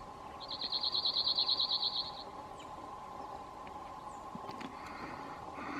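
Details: Male cirl bunting (Emberiza cirlus) in Croatia gives a dry, high, metallic rattle of about fourteen rapid identical notes lasting nearly two seconds, over a steady low hum and faint background noise.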